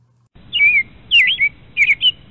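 American Robin singing three clear, warbled whistled phrases, each rising then falling, with short pauses between them. No other sounds are noticeable.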